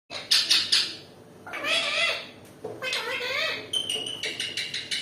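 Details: Angry Indian ringneck parakeet, apparently fighting: harsh, grating screeches in bursts, with short rapid harsh notes at the start and a run of clipped squawks at the end.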